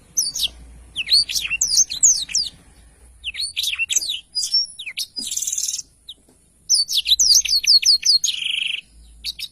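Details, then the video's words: Tutor recording of a black-throated canary's song: varied high chirps and sweeping whistles, a harsh buzzy burst midway, then a fast repeated run of sharp notes ending in a lower buzzy trill. "blacktroath gacor cocok untuk masteran"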